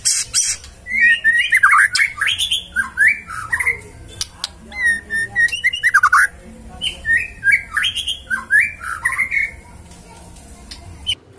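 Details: Magpie-robin singing in several bursts of varied warbled and slurred whistles interspersed with harsh scratchy notes and clicks, with short pauses between phrases.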